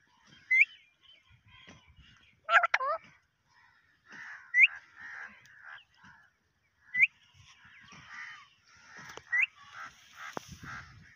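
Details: Parrot in Pakistan talking in Urdu: short speech-like murmured phrases broken by sharp rising whistled notes every couple of seconds and one harsh squawk.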